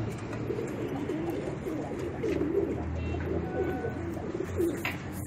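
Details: Racing pigeons kept with children produce soft, low, bubbling coos in irregular overlapping bursts, with light background noise and a brief tap near the end.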